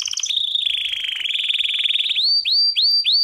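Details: Belgian canary singing a training song: a long rapid trill around the upper-middle range, followed by repeated bright upward-swept whistled notes, clear and loud with no other sounds.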